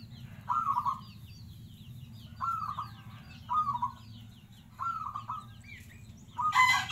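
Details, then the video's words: An actively singing local zebra dove repeats short, bubbling coo bursts about every second or two. Faint high chirps from other small birds run through the background over a low hum. "SUARA PERKUTUT LOKAL GACOR"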